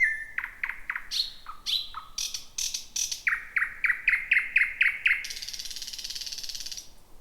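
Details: Thrush nightingale singing at night in a jungle-like tangle of bushes, the first of 2026. A rapid series of sharp clicking notes speeds into a run of loud chopped pulses, ending in a long buzzy rattle.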